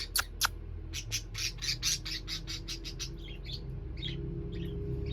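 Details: A pet pair of parakeets calling happily in the evening: a rapid series of sharp, buzzy chirps, then softer warbled notes, over a steady low-pitched hum of background noise.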